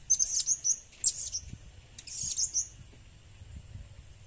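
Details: Very high, shrill chirps of a blue-crowned hanging parrot used as a lure, about five quick notes in a run, a pause, then a short squeaky burst before fading to low hum.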